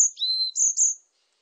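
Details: Short varied tit phrase: a lower sustained whistle followed by two sharp, very high notes, fading out quickly in a quiet setting.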